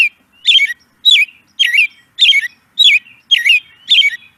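American Robin song: seven short, clear, fluty caroling phrases, each rising then falling, delivered about every half second with no other sounds.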